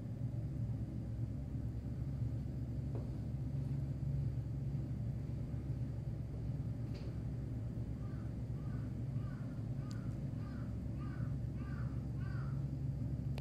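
A crow gives a quick run of about eight short, hoarse notes, roughly two per second, over a steady low rumble of background noise.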